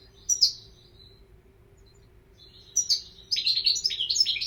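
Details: European goldfinch song opens with a single sharp chirp. After a pause comes a lively, continuous stream of rapid tinkling twitters and trills, with a faint hum beneath.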